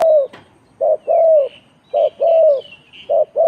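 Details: Spotted dove giving a ต่อกิ่ง-style cooing song: low, mellow coos in phrases of a short note followed by a longer drawn-out coo, repeated about once a second. Faint higher chirps from other birds sit above.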